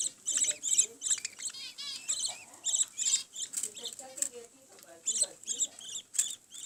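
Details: Budgerigar chicks give rapid, raspy, high-pitched begging chirps in quick bursts while their mother feeds them.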